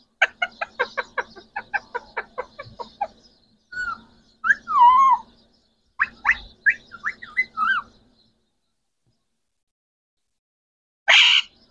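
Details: Trio of green Pakistani talking parrots: a rapid train of clicking ticks, then wavering warbled phrases like chattered words, silence, and one final harsh burst.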